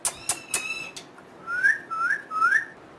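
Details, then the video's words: Talking parrot gives three clear rising whistles, each about half a second long, after a few short sharp clicks at the start. "One Of The Best Talking Parrot"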